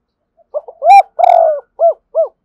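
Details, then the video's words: Spotted dove singing to a rival bird: a short low note, then a loud rising coo and a long rolling purr, followed by two clear, separate falling coos, with no other sounds. "cu gáy thúc gù & gáy gọi bổi hay"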